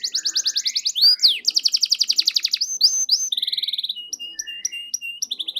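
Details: Canary in full gacor song, played to coax quiet canaries into singing: fast rattling trills of repeated high notes, swooping whistles, then a string of clipped chirps repeated several times a second, clear and close.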